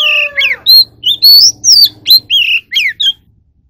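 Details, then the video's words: Magpie robin (chòe than) in song training for competitive singing, opening with a falling nasal note, then a rapid run of loud whistled slurs and upsweeps with a faint low hum beneath. "Chò than luyện giọng || choè than hót đấu"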